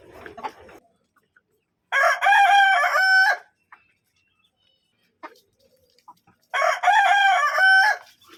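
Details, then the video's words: A Kadaknath rooster crows twice, each a loud, harmonic cock-a-doodle-doo of about one and a half seconds ending on a held note, several seconds apart. "Counting the crowing"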